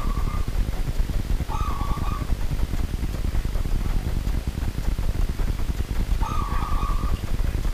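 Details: Wild local zebra dove heard at night: three brief, soft, trilled coos spaced a few seconds apart, partly buried in steady broadband hiss and low rumble.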